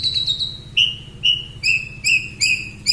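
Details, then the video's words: Long-tailed shrike, a champion bird, sings a drawn-out high whistle, then short clear whistled notes repeated about every half second at a steady pitch, over a soft low background hum. "BURUNG CENDET MATERI TERBARU,SUPER GACOR+SPEED RAPET"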